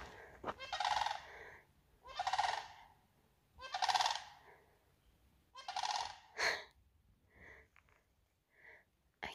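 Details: Sandhill crane (believed) on a very wet morning on the Continental Divide Trail between Pinedale and Yellowstone, giving loud, rolling, trumpeting calls, four strong bursts about a second and a half apart, then fainter, shorter notes.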